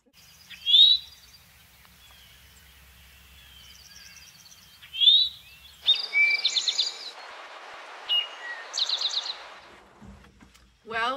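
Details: Eastern towhee (Pipilo erythrophthalmus) giving two rising, slurred "to-whee" call notes a few seconds apart, then a short "drink-your-tea" song ending in a fast trill, partly covered by applause and a voice.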